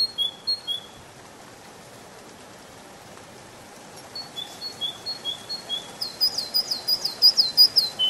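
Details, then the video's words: Canary in a spring forest: a few thin whistles, a quiet pause, then rising activity with level whistled notes building into a loud, fast, looping high trill. "Пение канарейки, канарейка поет в весеннем лесу"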